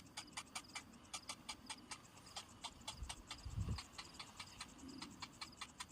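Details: Hungry cinnamon bittern chick whose parent has returned without food, giving rapid dry ticking clicks in quick runs, several per second, each with a thin high tonal edge; a low thump and rustle near the middle.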